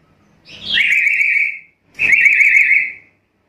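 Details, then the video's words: Black-capped lory: two harsh, drawn-out screeching whistles, each about a second long with a rough, slightly buzzy texture, the first opening with a rising note, separated by a brief pause. "Suara burung nuri kepala hitam gacor"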